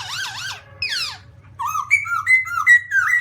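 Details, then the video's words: Black-throated laughingthrush singing: two wavy, sliding whistles, a falling slurred note, then a series of short rising and dipping whistled phrases, over a steady low hum. "Black-throated laughingthrush (Garrulax chinensis): Funny Sounds And Funny Dances"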